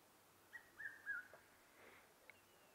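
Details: Red-chested cuckoo (Cuculus solitarius) calling at sunset in November as a large storm blows in, giving three quick, clear whistled notes, slightly falling, over a faint background hum and soft murmur.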